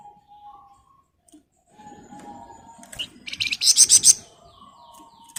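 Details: Flamboyan bird singing rapidly: soft thin whistles lead into a dense burst of very high, quickly repeated chirps, followed by quieter whistled notes and a brief final chirp.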